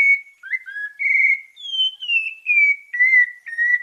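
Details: Bahia sabiá parda thrush in santa fé song style: clear flowing whistles, a few short slurred notes, then a long high note descending through a chain of linked, gradually lowering whistles, with no other sounds.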